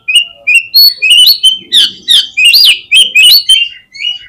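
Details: Oriental magpie-robin singing as a lure to make other birds respond and open their tails: a continuous, loud stream of bright whistles, upslurred notes and harsh chips in quick succession.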